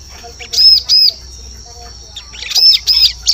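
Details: Bar-winged prinia, recorded to lure birds in forest: two loud high arched chirps early, a pause, then a quick burst of three chirps with scratchy notes, against a steady thin tone and low hum.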